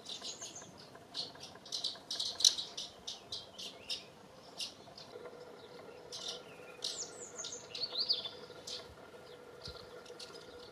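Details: Eurasian crag martins at Penha Garcia, Portugal, give short, dry, high chirps in irregular bursts, several per second at times. A faint steady hum runs underneath in the second half.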